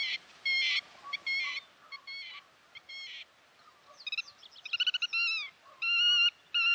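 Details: Black-tailed godwits calling on the Bug River: ringing harmonic notes, first short stacked pairs, then quick rising and falling yelping notes that run together, with quieter calls in the background.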